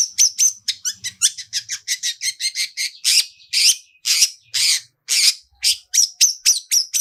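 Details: Long-tailed shrike in full lure song with rich mimicked fill-ins and "toet toet" phrases, meant to set other shrikes singing: rapid bursts of high, scratchy, chattering notes, nearly two a second, with some clearer whistled tones.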